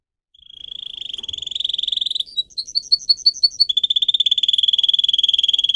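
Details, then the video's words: Singer canary song for training: a swelling high roll of rapid pulses, then a phrase of loud separated chirps. The bird finishes with another long, even, fast buzzy roll. "Canary song video - type of song"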